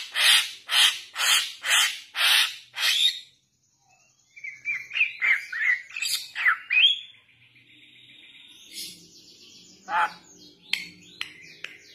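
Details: Young Bali myna used as a lure: six loud broadband rasping screeches, a pause, then a quick run of chattering, slurred notes and scattered sharp clicks.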